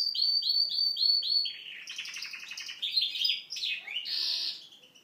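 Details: Canary trained on goldfinch song, singing a varied imitation: a run of repeated high rising notes, then buzzy trills and a harsh wheezy burst near the end.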